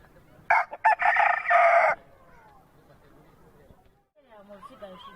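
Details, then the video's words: Crow of an Aseel rooster: a brief stuttering start, then one sustained, hoarse crow of about a second and a half. Quieter background chatter and faint sounds follow. "Aseel Roosters Crowing"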